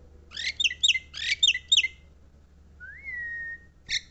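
Javan myna song: two quick bursts of harsh, chattering notes mixed with squeaky whistles, then a long level whistle and a final rasping note.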